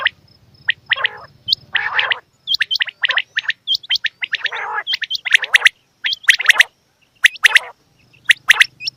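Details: Female quail calls: a long, busy series of sharp high chirps mixed with rough, gargling nasal bursts. A low hum comes and goes.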